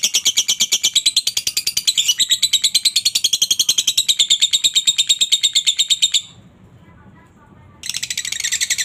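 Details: Ngekek chatter from a lovebird, recorded as training audio: fast, harsh, high chirps about three per second, stopping for over a second of near silence, then restarting.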